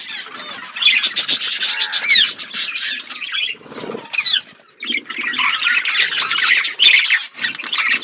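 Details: Budgerigar flock chirping while eating food: continuous bright warbling and squawky chatter from many birds, with short dips in loudness between bursts and a few wing-like rustles.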